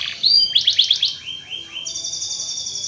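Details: Canary song played to stimulate other canaries to sing: a short buzzy burst, a quick run of descending strokes, soft falling slurs, then a steady high thin trill.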